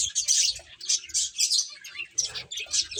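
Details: Playing finches give quick, bright, high chirps in closely spaced bursts, about three or four clusters per second, over faint low bumping sounds.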